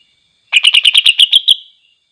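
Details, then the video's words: A greater green leafbird sings to make other leafbirds agitated: nine quick, ringing, rasping notes delivered evenly in just over a second, fading into a faint drawn tone, background silent. "cucak ijo GACOR DIJAMIN bikin NGAMUK cucak ijo lain"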